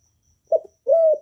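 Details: Spotted dove, a kept bird used to stir newly caught doves into calling, recorded without background noise: a short low hoot followed by one longer level coo with a falling end.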